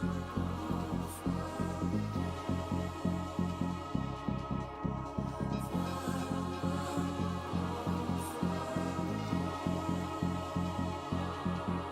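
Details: Steady electronic music with a throbbing low beat fills the recording; no animal voices are heard.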